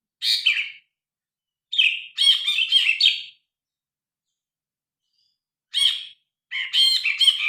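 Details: Loud grey-cheeked bulbul song recorded on a phone: bursts of rapid, rasping, chattering notes separated by short pauses, with no other sounds.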